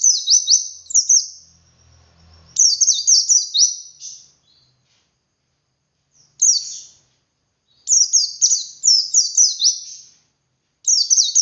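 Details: Wild white-eye giving ngalas song with 'wit wit' variation, meant to stimulate captive birds to sing. Five separated phrases of fast, piercing, high whistled notes, each note dropping in pitch, the phrases uneven in length, with a brief low rumble early on.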